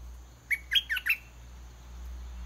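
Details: Red-whiskered bulbul kept in a cage as a decoy, singing steadily until a wild bird comes down to fight. It gives a quick phrase of four clear, warbled whistles, then quiet hiss.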